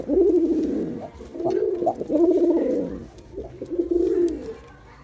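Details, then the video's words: Performing male Girabaj pigeon giving deep, pulsing coos in three main phrases with brief breaks, loudest at the start and fading toward the end. "Pigeon Sound Effect || Male Pigeon Super Performance || Girabaj Pigeon"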